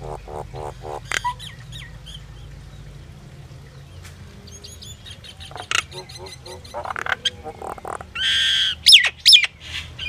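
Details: Common myna singing, a varied run of gurgling harmonic notes, sharp clicks and short whistles, ending in a louder harsh rasp and two high whistled slurs, over a steady low hum.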